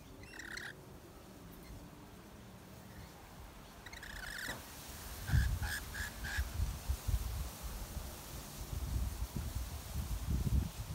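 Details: Rainbow lorikeet feeding on nectar in a red flowering gum in Melbourne during January summer; a screech, a longer grating call, then four quick shrill notes, followed by loud low rumbling and thumping noise.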